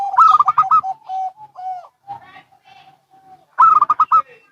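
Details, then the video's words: Local and Bangkok zebra doves calling back and forth: bursts of rapid higher staccato notes over low coos, then drawn-out level coos, ending with another quick high rattle of notes. "Perkutut Lokal & Bangkok Bunyi Saling Bersahutan"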